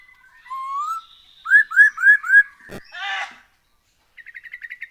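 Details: Song of a black-throated laughingthrush, played as a lure to make birds sing: a soft rising whistle, four clear upswept notes, a harsh burst, then a fast stuttering trill.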